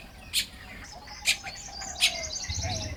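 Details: Baya weaver calling while building a nest, morning, Lopburi, Thailand, 1 May 2026; three loud, sharp high chirps spaced under a second apart, then a low rumble at the end.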